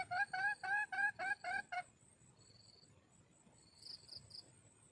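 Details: Hen red junglefowl calling for a mate with a quick run of seven short, clear harmonic notes, about three per second. The notes stop, leaving insect trills and a high steady whine.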